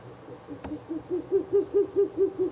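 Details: A Ural owl calls near its nest box at night in mid-April, a quick run of about eight low, hollow hoots, five a second, swelling then easing; a single sharp knock comes just before.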